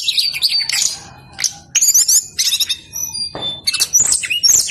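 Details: A brown-chested jungle flycatcher sings insistently in a recording meant to draw other birds into song. Clear high whistles and squeaky slurs come in separate bursts, with a brief harsh, noisy note near the end.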